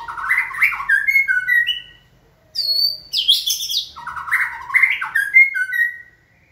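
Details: Trained white-rumped shama singing on cue: rich, fluty phrases of rising and falling slurred whistles, then a high, buzzy, twisting figure, then another run of mellow whistled notes, in a quiet room.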